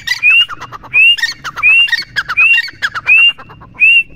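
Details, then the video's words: Grey francolin (teetar) in steady voice: six bright upslurred whistles, spaced about 0.7 seconds apart, each followed by a burst of harsh clicking notes. "Teetar Ki Awaaz"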